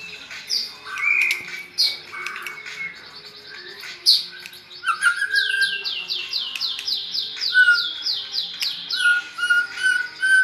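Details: Kept white-rumped shama raised near red-whiskered bulbuls, singing in a bulbul-like voice: a jumble of rich whistles and chatter, then a run of rapid repeated arched notes over a steady high whistle near the end.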